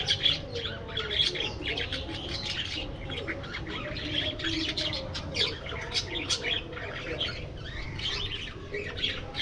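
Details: Aviary of budgerigars producing constant overlapping chirps, squeaks and clicks, a busy lively chatter with no pauses, over a low hum.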